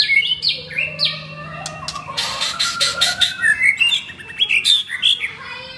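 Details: White-rumped shama, caged F4 blorok male in Jakarta, Indonesia, singing a dense, energetic mix of squawky bursts, sweeping whistles and rapid chatter with barely a pause.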